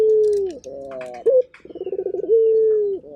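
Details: Local turtle dove cooing energetically: a long steady low coo tapering downward, then a short rising note, a pause, a run of quick stuttering pulses and another long drawn-out coo.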